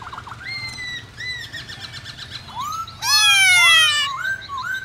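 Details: Laughingthrush singing to rouse other songbirds: a string of level and gently falling whistled notes, then a loud grating burst followed by upslurred whistles.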